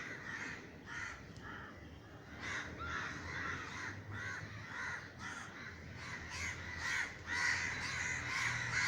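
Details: Large flock of crows cawing while flying over a garden in Sri Lanka after a neighbour fired a crow-scaring gunshot sound; harsh, overlapping caws in uneven bursts, louder toward the end, over a low steady rumble.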